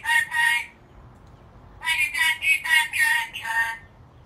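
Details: An angry black-capped lory gives harsh, raspy squawks: two quick ones, a pause, then five more in a rapid run, each a noisy screech.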